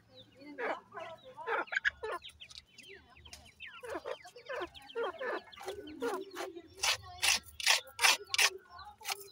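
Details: Grey francolin (Teetar) chicks in captive housing: scattered high, falling peeps open the recording, then a run of loud, rhythmic thumps or knocks repeats rapidly over the calling.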